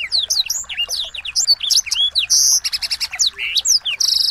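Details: Small birds singing in a shama training track: a fast string of high rising and falling whistles, then loud buzzy bursts and rapid clicking rattles in the second half, ending on a stuttering series.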